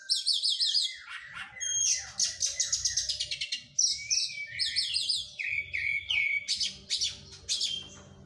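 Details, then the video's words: White-rumped shama after moulting, training its song: bursts of rapid high repeated notes, buzzy trills and clear slurred whistles, with a faint low hum in the background. "KACER PRO HYPER LATIHAN FISIK PASKA MABUNG"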